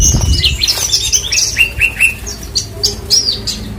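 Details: A Horsfield's bush lark pours out a fast string of high, squeaky whistled notes, with short down-slurred chirps repeated about every quarter second in the middle section.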